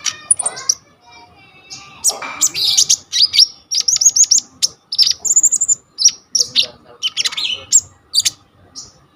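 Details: Coconut lorikeet singing a full repertoire as tutor audio for kolibri ninja birds, captured by phone: a rough burst early on, then a steady run of piercing chirps and high whistled phrases separated by brief gaps.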